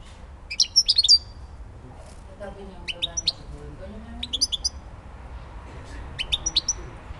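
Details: European goldfinch of Elbasan, Albania, uttering scattered clusters of high, thin twittering chirps every second or two, with faint lower sounds in the background.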